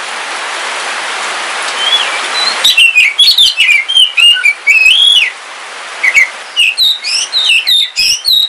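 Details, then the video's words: A pet Kalimantan oriental magpie-robin (black form) sings on a rainy day a rich run of varied whistles and slurred rising and falling notes, with a brief soft hiss of rain at the start. "Suara Kicauan Ketika Hujan - KACER WULUNG"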